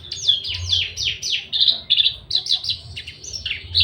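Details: Javan bush lark in full breeding condition, aggressive and courting, pours out a string of downward-slurred high whistles and buzzy chirps, about three to four notes each second, with a faint low hum.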